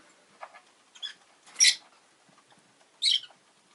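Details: A caged pair of rosy-faced lovebirds, newly added to the home, utter two loud, rasping chirps about a second and a half apart, after several softer squeaks.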